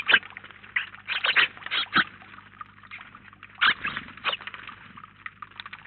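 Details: House sparrow flock at a feeder in Collado Villalba; irregular short chirps and chatter, louder bursts early and again just after halfway, quieter toward the close.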